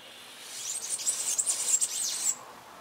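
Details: Male Amazilia hummingbird giving a burst of very high, thin, squeaky chips and twitters for under two seconds, over a faint hiss.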